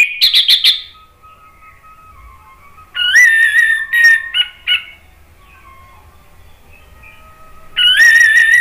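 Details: Male orange-headed thrush singing spontaneously, offered as a lure and therapy for birds that stop singing: a short burst of rapid high chirps, a pause, then loud clear whistled phrases, and another whistled phrase at the end, with quiet gaps between.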